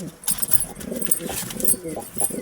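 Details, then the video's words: Domestic pigeons, a new pair in a colony, cooing in low, throaty, rolling notes repeated through the moment, with some faint background chatter and hiss. "kabutar sound effects | kabutar new pair in colony 2024"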